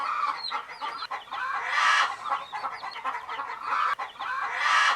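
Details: Baby hen chicks resting together peep in quick, high, looping notes, interrupted by two loud, breathy rushes of noise that swell and fade.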